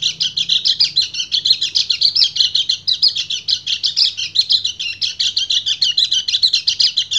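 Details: Male white-eye singing to call a female in breeding condition, in the rapid continuous style called ngecir: an unbroken, fast, high-pitched stream of chattering notes pulsing about four times a second, with a faint low hum beneath.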